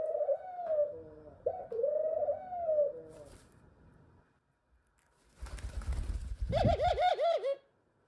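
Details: A young male pet Ringneck (Barbary) dove, which the owner thinks is reaching puberty, gives a drawn-out, wavering mid-pitched coo, then after a pause and rustling, a quick run of short, bouncing, arched notes.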